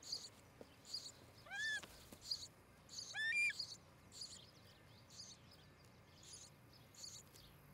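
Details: Osprey at a nest near Charlo, Montana, filmed by a nest camera on a July 2018 morning. Two short harmonic whistled calls sweep up and then down, about 1.5 seconds apart, over steady rhythmic insect chirping.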